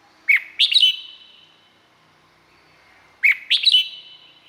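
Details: Two cheerful warbled phrases from a Red-whiskered bulbul, Thailand, each opening with a clear rising note and running into a rapid cluster of bouncy whistled notes, about three seconds apart, with a soft echoing tail.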